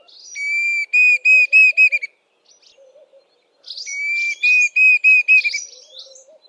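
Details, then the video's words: Diederik cuckoo giving two whistled phrases, each a longer clear note followed by a run of short, repeated whistles that quicken and drop slightly at the end; faint low warbling from another bird between phrases. "Diederik cuckoo"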